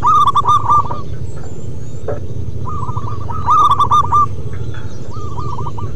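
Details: 'Manggung' song from a local zebra dove: two loud stuttering coo phrases about three seconds apart, each among several runs of short, repeated hooked notes at a steady pitch, over a low hum.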